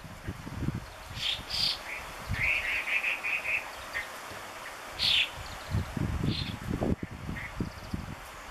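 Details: Chinese hwamei (Garrulax canorus) in Gunma Prefecture, Japan, singing loudly and restlessly in busy bursts of bright whistled notes, including a quick run of repeated phrases, over a low rumble of wind.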